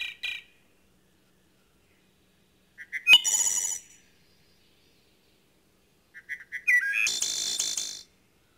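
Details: A wood thrush, a threatened species, sings in a conservation area in Centre-du-Québec: soft low notes lead into a ringing, flute-like phrase ending in a shimmering trill, repeated about every three to four seconds.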